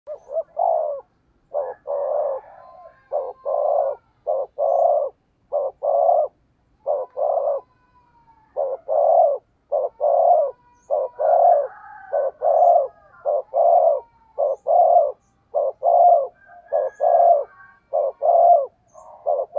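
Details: A spotted dove gives its "gù" cooing, soft low notes in quick, steady succession.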